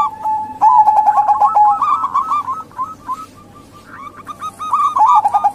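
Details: Local and Bangkok zebra doves, including a local female, calling as a lure for males that rarely sing or for wild doves. Rapid pulsed cooing runs around one pitch, with short rising trills, a quieter pause, then louder cooing again.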